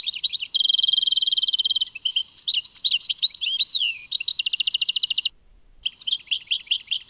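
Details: European goldfinch Tadmait song opening with a steady buzzing trill, followed by tumbling slurred whistles, a rapid clicking rattle, a short gap and more twittering notes.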